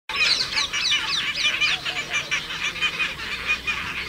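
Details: Asian openbill stork calling: a rapid series of hoarse, honking notes repeated about one and a half times per second, harsh and broadband, continuing steadily through the clip.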